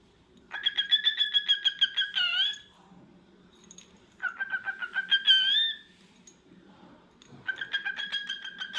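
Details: A cockatiel gives three bursts of rapid, rattling chatter, each about two seconds long and ending in a rising whistled note, over a low background hum.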